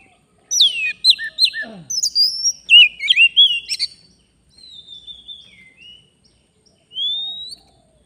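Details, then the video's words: Oriental magpie-robin in the forest, recorded while wild birds are lured. Rapid run of sweeping whistles and clipped chirps, followed by quieter drawn-out whistles and one final clear rising note. "Kacer, begini jadinya kalau tidak di ajak duel fighter || full gacor"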